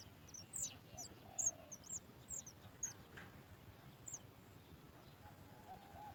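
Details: Sooty chat chick at the nest calling as its mother brings food: thin, very high chirps in short bursts, spaced irregularly, over low background rumble.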